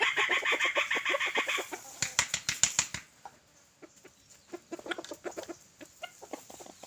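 A red junglefowl gives a short, hoarse crow, then a run of sharp, rapid clucks.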